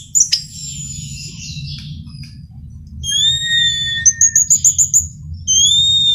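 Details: Orange-headed thrush (Geokichla citrina), likely a male, singing clear, high whistled phrases with sliding notes and a quick run of bright repeated chips, over a low background hum.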